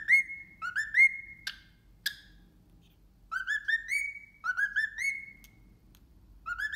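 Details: A male cockatiel whistles the Addams Family tune to a ceramic turtle ornament in clear, rising, slurred notes, with sharp taps between phrases as he drums on the turtle.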